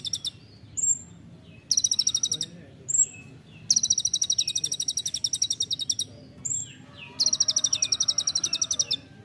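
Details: Olive-backed sunbird delivering 'nembak rapat' song for training other songbirds: brief high pips and squeaks lead into three long machine-gun trills of bright, piercing notes.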